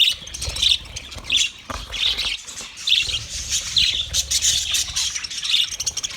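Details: Budgie (budgerigar) dated 29 February 2024: high, scratchy chirps and warbled chatter in quick bursts roughly every half second to second, with soft low rumbling underneath.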